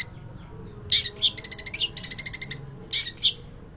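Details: Long-tailed shrike singing in a lively, prolific style: harsh chattering bursts high in pitch, a fast run of about a dozen rapid repeated notes, then two more scratchy phrases, over a low background hum.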